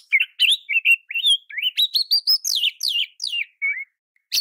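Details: Oriental magpie-robin singing as a tutor for other magpie-robins. A steady chain of short whistled notes climbs in pitch, about three per second, then ends in lower slurs and a final sharp chip.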